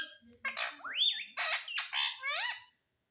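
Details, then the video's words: Indian ringneck parakeet kept indoors, known to say mummy and papa: a rapid string of harsh, voice-like syllables with swooping harmonics, ending abruptly. "Talking Parrot Mummy Papa"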